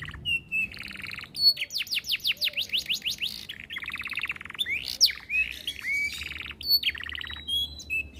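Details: Long, chatty 'cengkok mewah' canary song: sharp chirps, then a fast series of falling whistled sweeps, rattling buzzy trills and twisting upslurred whistles in quick succession, high-pitched and hardly pausing.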